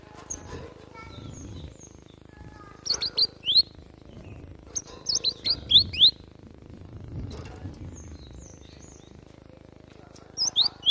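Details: Java sparrow in the wild, giving a fighting song: sharp, high chirps and short descending whistled notes in quick bursts, clustered around three and five to six seconds and again near the end, over a low rumbling background.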